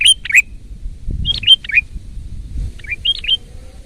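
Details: Sooty-headed bulbul in lively, loud song. Short bubbly whistled phrases of three to four notes, bright and slurred, come in bursts about every second and a half over a faint low rumble.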